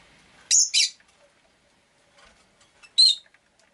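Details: Pet rosy-faced lovebird giving a pair of loud, rasping high chirps, then a pause with faint rustles before a third harsh chirp; quiet indoor background.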